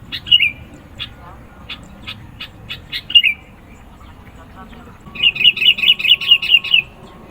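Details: Sooty-headed bulbul singing persistently, used to provoke rivals and lure birds: short high chirps scattered over five seconds, then a rapid run of about ten bubbly, even notes near the end, over low background hum.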